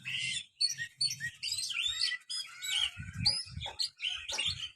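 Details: Quieter Oriental magpie-robin song used to coax a lazy kept bird: continuous busy chattering and whistled phrases high in pitch, over a steady low murmuring background.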